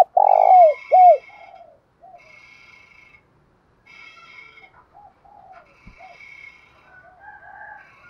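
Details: Decoy spotted dove calling to provoke and lure males, a one-ending ('1 hậu') calling coo in a native voice: two loud arched, hollow coos at the start, then faint softer murmurs to the end.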